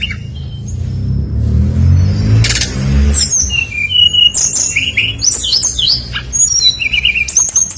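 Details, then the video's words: Brown-chested jungle flycatcher lure song intended to make other birds sing: after a low rumbling start and a sharp noise burst, a rich sequence of quick chirps, hooked whistles and trilled phrases fills the second half. "SUARA BURUNG SRDC GACOR FULL NEMBAK ISIAN"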